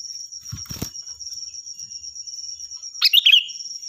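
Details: Sooty-headed bulbul, the kutilang, singing loudly as a tutor for other birds: after some rustling thumps, one brief bubbly warbled phrase near the end, over a thin constant high whine.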